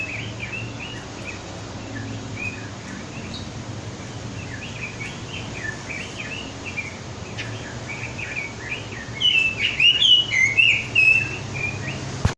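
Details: Red-billed leiothrix (Leiothrix lutea), song.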